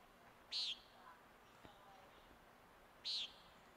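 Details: Common nighthawk, among the species at risk in Newfoundland, gives two short, buzzy, nasal 'peent' notes about two and a half seconds apart, high-pitched against a quiet background.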